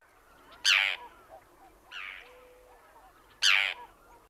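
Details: Forster's tern (Sterna forsteri) keeyer call, shorter than the Common Tern's two-parted kee-ke: three harsh, rasping kerr calls, each a single unbroken burst, with a softer one between two louder ones.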